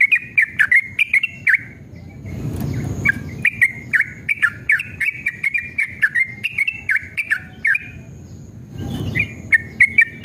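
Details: Yellow-vented bulbul male pouring out rapid 'ropel' song, meant to provoke caged bulbuls into answering. Chattering runs of fluty, bouncing notes, briefly interrupted twice by a low rushing noise, over a constant faint hum.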